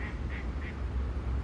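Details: A mallard gives three short, nasal quacks about a third of a second apart, at a park river in Poland on a sunny, mildly cold 17 January morning (about 9:30, 23 mallards counted), over a steady low rumble of wind or distant traffic.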